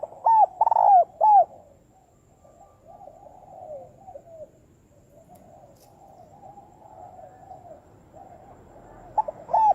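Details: Spotted dove lure call for trapping, delivered fast and strongly. A loud stuttered coo phrase at the start and another beginning at the very end, with quiet distant dove cooing filling the gap.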